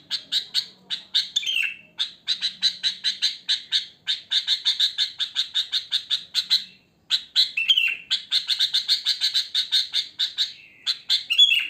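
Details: Wild sooty-headed bulbul in its natural song, with no added tutor phrases. Long dense runs of rapid chirps give a busy, noisy chatter, broken by occasional dropping whistled slurs and one short silence.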